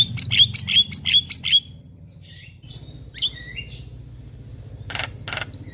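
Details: Javan myna singing vigorously in the morning, recorded as training and lure audio for other mynas. A quick run of six sharp whistled notes with clicks, a pause, then a few squawky notes and two harsh rasping bursts over a steady low hum.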